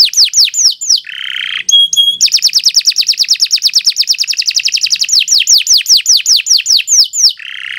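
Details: Canary singing long and continuously, recorded for training other birds: descending whistled sweeps, short buzzy bursts, then a long rapid trill of repeated downslurred notes that slows back into separate whistles.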